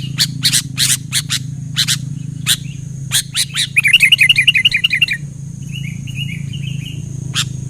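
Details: Sooty-headed bulbul in full song, quickly answered by other bulbuls: dry chips, then a fast bubbling, warbled phrase about a second long, followed by a softer, quieter bubbling reply.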